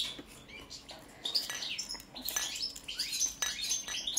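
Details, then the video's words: ['Song of a European goldfinch of the balcanica subspecies: scattered high twitters building into sweet, ringing notes and tinkling chatter, broken by a few clicks.'] "Kontrola pesme, štiglić, češljugar, grdelin n, carduelis balcanica"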